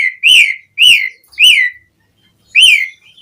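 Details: Javan pied starling singing to lure other starlings into song: four loud, clear whistled notes, each rising then falling, the first three about half a second apart, then a pause.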